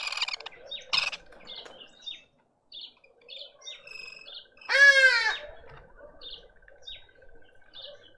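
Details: Hornbill in a suburban garden in Pretoria, South Africa: one loud, harsh, many-layered call bursts out midway, with soft scattered chirps of small birds before and after.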